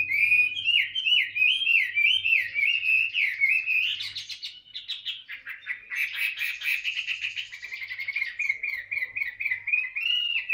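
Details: Voice practice of a tame, caged Chinese hwamei: rolling looped whistles for several seconds, then scratchy, buzzy chatter, then a long rapid series of short repeated whistled notes.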